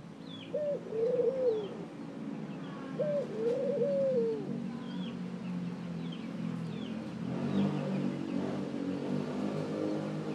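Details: Two low cooing phrases from a ring-necked dove, a short note then a long, falling coo, followed by a steady rumble of passing traffic. Thin chirps from other birds sound faintly above.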